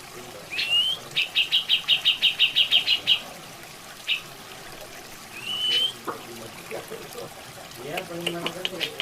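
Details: Grey-cheeked bulbul (cucak jenggot) in a natural masteran recording: a rising whistled note, then a rapid burst of about a dozen even, high chirps, another upswept whistle later, over steady running water.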